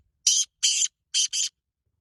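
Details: Black francolin calling: four harsh, grating bursts, with two longer ones followed by a quicker pair, in an otherwise silent setting.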